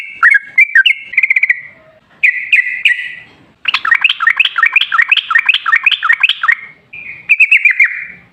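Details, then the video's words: Lure song of a sooty-headed bulbul, delivered in an energetic, long-running style: short whistled bursts, then a fast run of bright, slurred notes repeated several times a second, with brief gaps between phrases. "Suara trucukan gacor ropel ngalas buat pancingan trucukan agar bunyi jadikan burung trucuk gacor"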